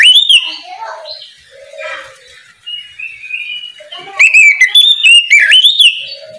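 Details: Oriental magpie-robin singing loudly in the morning to prompt other magpie-robins to sing: varied clear whistled phrases sweeping up and down, softer low steady notes in the middle, then a final burst of rapid, intense whistles and chatter.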